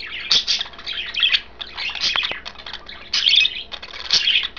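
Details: Budgerigars kept as pets, three birds, chirp while enjoying kale: uneven bursts of scratchy, twittering notes, some louder squawky peaks, about one burst per second.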